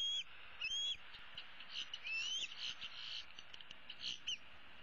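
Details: Young female bald eagle, the older eaglet of 2016, roosting in a tree on 15 April 2016 and calling for her parents to bring food; thin, high whistled squeals, some rising, scattered through the clip over a steady hiss.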